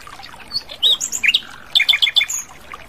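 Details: Asian brown flycatcher singing in the wild: varied high twitters and slurred whistles, a brief pause, then four quick sharp chirps in a row and a thin high note to finish.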